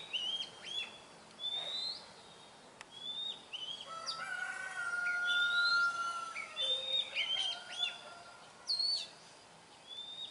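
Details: Oriental magpie-robin in the wild: bright, varied whistles and slurred notes in clusters, with a long drawn-out level tone in the middle, over a faint hissing background.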